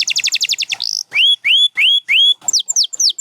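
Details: Canary from a champion lineup including Gloster and Spanish Timbrado birds sings a quick rattling trill, then slow, rising, slurred whistles repeated about three times a second, ending in falling high notes.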